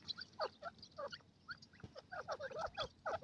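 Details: Francolin pair in the forest, called gadra teetar: a chattering run of short, sharply falling notes, some doubled, in irregular bursts with brief pauses over faint background hiss.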